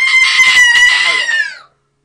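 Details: A pet salmon-crested (Moluccan) cockatoo gives one loud, harsh, drawn-out screech lasting about a second and a half, fading slightly downward at the end; faint speech nearby.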